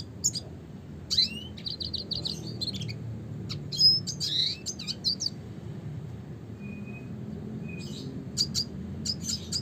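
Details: Red siskin singing a classic chattering song: high twittering phrases and fast buzzy trills, with thin whistled notes, broken by short pauses and low background hum.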